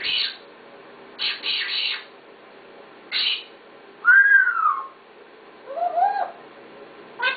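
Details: Talking parrot giving a series of short harsh speech-like bursts, then a clear whistle gliding downward, followed by a few warbling notes and a final brief burst.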